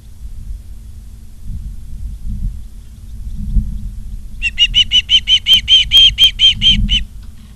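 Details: Ospreys in Charlo, Montana, on 28 August 2023, picked up by a live nature cam: low wind rumble for several seconds, then a rapid run of sharp, high, whistled chirps repeated about twelve times before fading out.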